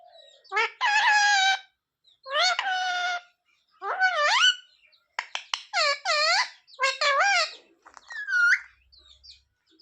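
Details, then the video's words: Parrot copying "sita-ram", "jay shree ram" and "mummy papa": drawn-out, flat, nasal tones, a rising glide, then a choppy series of short, speech-like syllables. "Parrot talking sita-ram🚩parrot talking jay shree ram"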